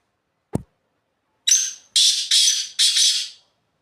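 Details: Black francolin calling from the top of a rock: a series of four harsh, broadband grating notes, the second to fourth run closely together, following a single low click.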